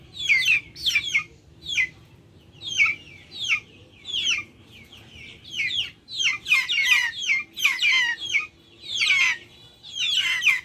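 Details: Calls from backyard chickens kept in a yard with nature sounds around: sharp descending peeps, scattered at first, then crowding into denser overlapping clusters toward the end, over a soft steady low rumble.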